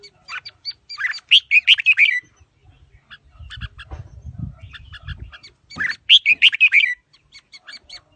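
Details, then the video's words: Red-whiskered bulbul performing đá lân, singing with a forest-style voice: two loud rapid runs of chirpy, warbling notes roughly four seconds apart, with a low rumbling noise between them. "Chào Mào Đá Lân Bộ Khủng Hót Giọng Rừng Hay"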